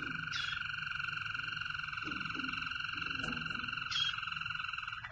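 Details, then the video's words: A Waterslager canary sings a steady, unbroken rolling trill, low and bubbling like running water, held for several seconds, with faint soft chirps in the background. "Canary Wetherslager"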